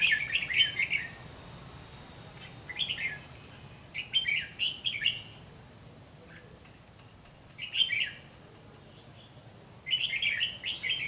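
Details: Red-whiskered bulbul decoy used for trapping, singing fighting song against wild birds: short bright warbled phrases in bursts separated by pauses of a few seconds, over a steady high thin whine.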